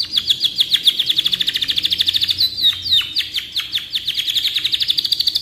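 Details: Canary with a long song for tutoring other birds: an almost unbroken rapid trill of bright, evenly pulsed notes, briefly interrupted by a couple of downward slurs.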